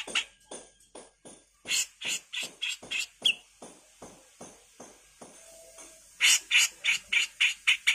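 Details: Grey-cheeked bulbul master for songbird training, rough 'full mbeset kasar' delivery: long runs of rasping, buzzy chatter notes repeated about three or four per second, briefly pausing, then resuming loudly and quickly.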